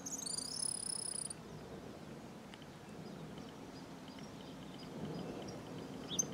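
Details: A small flock of Cattle Tyrants in the Bahia sertão, Brazil, gives a brief burst of high, thin, squeaky notes at the start, followed by steady low background rumble and faint distant chirps.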